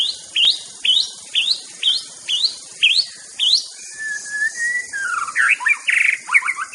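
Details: White-rumped shama from Aceh repeating a sharp upward-sweeping whistle about twice a second, then a long even whistle and a jumbled burst of chirps, with background hiss.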